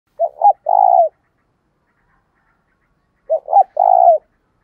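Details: Decoy spotted dove giving a challenge call and calling coo used to lure wild doves; two phrases about three seconds apart, each a quick double note followed by a longer, throaty, trilled coo, with a silent background.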